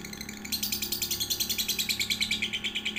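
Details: Lovebird chatter used to train one-to-three-month-old young lovebirds: after a brief quiet start, a quick series of high, ringing chirps pulses about eight times per second over a low hum.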